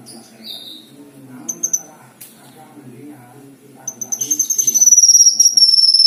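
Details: Kinoi, or black-winged myna, singing actively as filler material: short scattered high chirps and clicks, then a long, thin, pulsing whistle that rises in strength and slides slightly lower toward the end.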